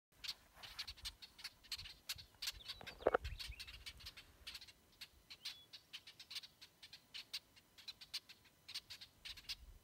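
Brewer's Blackbirds giving sharp, dry chack notes, scattered irregularly several times a second, with one louder harsh note near the middle.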